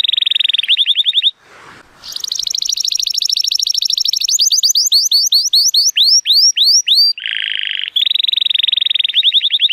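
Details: Sunny-day song of an 83-point male Timbrado Español canary born 2018: rapid rolling trills, then a run of sweeping upward whistles repeated about twice a second, returning to fast buzzy rolls.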